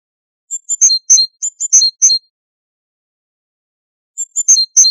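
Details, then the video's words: Great tit, known in Morocco as haddad and in the Levant as qarqaf, on a tutoring recording for goldfinches: quick clusters of thin, high chirps and ringing notes, two bursts separated by silence. "تغريد طائر الحداد"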